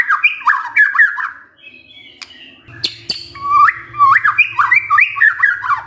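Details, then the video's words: White-rumped shama lure song meant to get a lazy male singing. Bouncing whistled phrases open and close the passage, with a quieter middle part where a low hum sits under scattered notes. "PANCINGAN MURAI BATU GACOR"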